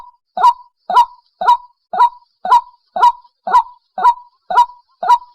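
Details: Trapping lure of a White-breasted waterhen calling, a loud hoarse honk repeated in a very regular series roughly every half second, each note sliding up and down, no other sounds.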